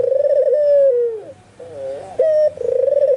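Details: White albino ringneck dove calling vigorously, with spotted doves and zebra doves nearby said to answer; low, mellow coos, some drawn out and falling, others in quick pulsed rolls, repeated back to back.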